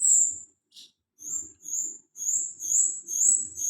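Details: Golden-bellied gerygone giving a long high whistle, a short buzzy note after a pause, then a renewed series of very high whistled notes at a quickening, steady pace; faint low noise underneath.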